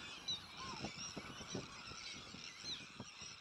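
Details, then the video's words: Breeding colony of Sandwich terns with neighbouring black-headed gulls, Arctic and common terns; rasping calls blur into a constant chatter, a few clear high squeaks, and soft low bumps of wind. "Sandwich TernColony / Grote Sternkolonie"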